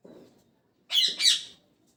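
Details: Parrot chirping in the morning, a double harsh high chirp after a faint low murmur at the start.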